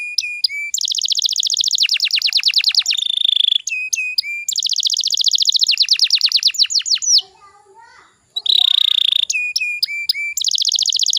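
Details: Canary song used as a lure to make young canaries start singing: fast trilled phrases with rapid downward-sweeping notes, buzzy rattles and short whistled chips, switching phrase type every second or two, with a brief pause midway.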